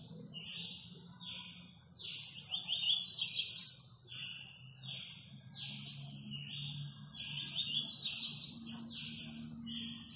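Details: A very quick 'velocista' Double-collared seedeater from Guarujá sings a long, hurried sequence of high buzzy notes and sharp whistles, phrases tumbling one after another, with a steady low hum beneath.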